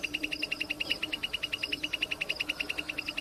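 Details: Plain prinia singing in the wild: a fast, regular series of identical high, buzzy notes that continues without pause over a quiet background.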